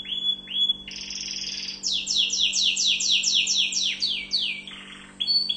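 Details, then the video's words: Tunisian orange canary in full song: short whistled notes, a buzzy rolling trill, then a run of loud repeated descending chirps, ending in lower burred notes and a fresh high phrase. "Chant canari tunisien 2017 تغريد كناري رائع للتعليم"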